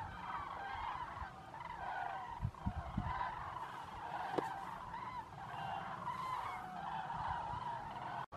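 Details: Flock of common cranes arriving at lagoons in Zamora, Spain, at nightfall with constant trumpeting; long continuous chorus of overlapping rolling calls, several low knocks and a sharp click, then an abrupt cut at the end.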